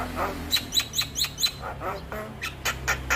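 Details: Javan myna tutor and trigger song for myna birds: a string of short, bright chirps with thin high pings, followed by softer scattered clicks and chips.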